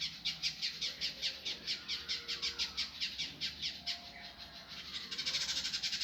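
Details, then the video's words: Indigo bunting training recording in a harsh, fast, tightly packed style: a rapid run of high buzzy notes repeated about twice a second, speeding into a denser rattle at the end. "masteran burung indigo gavor kasar speed rapat"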